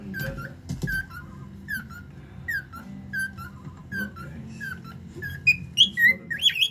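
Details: Pet cockatiel beatboxing and singing: short repeated whistled chirps rising into brighter, louder whistles near the end.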